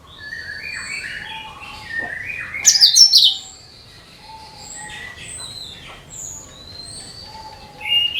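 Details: Cucak kinoi voice meant to attract other birds: a mix of short whistles and chirps, then one loud, high, chattering phrase falling in pitch, followed by scattered thin whistles.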